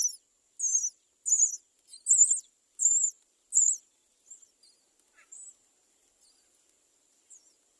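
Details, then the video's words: Great myna chicks crying at the nest for food while the parent does not bring any: a run of six high, squeaky, wavering calls about every two-thirds of a second, then fainter scattered notes. "bird Great myna does not bring food to feed the baby to make the baby cry at the nest"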